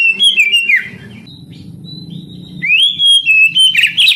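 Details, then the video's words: Oriental magpie-robin (kacer) song used to rouse young canaries: a warbled whistled phrase, a quieter lull with faint notes, then a rising whistle, a level tone and a harsh burst, over a low hum. "Terapi Kacer tercepat | kenari paud malas bunyi langsung NGADU"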